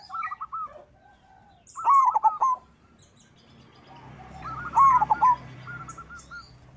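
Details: Local zebra dove singing to call out rivals: rolling, stuttering coo phrases recur every few seconds, alternating loud and softer, while a hiss of background noise rises in the second half and faint chirps sound above.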